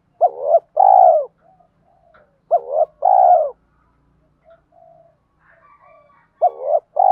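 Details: Spotted dove, male and female calls played to stimulate trained doves to coo: three paired coos, each a short wavering note then a longer, steady, slightly falling coo, separated by pauses of about two seconds with faint soft murmurs.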